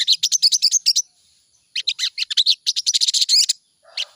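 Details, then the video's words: Sooty-headed bulbul song played in the morning as a lure to get birds singing: fast bursts of high, sharp chirping notes in two rapid runs with a short pause between, then a brief softer phrase. "pancingan burung sogon di pagi hari || pancingan sogon agar cepat bunyi"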